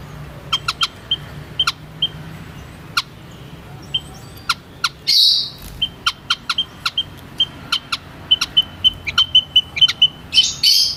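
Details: White-headed munia uttering many short high piping notes, often in quick pairs or triplets, interspersed with crisp clicks and two loud buzzy bursts; faint low hum in the background.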